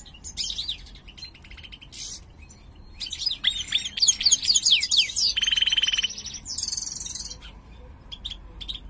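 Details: Caged mutant major European goldfinch singing: scattered high chirps and twittering slurs, a short steady buzzy trill, then more high whistled notes.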